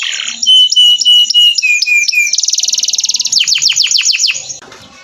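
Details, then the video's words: Canary training song: high clipped whistles over a steady tone that steps lower, a rapid rattling trill, then fast sharp descending chirps before fading. "Masteran Burung kenari"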